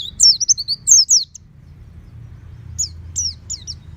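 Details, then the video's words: Caged oriental white-eye at home with loud ngeplong singing: a burst of bright, twisting high chirps, a pause, then softer thin downslurred notes over a low rumble. "Terapi Pleci Rumahan Agar Cepat Bunyi Ngeplong Full Buka Paruh"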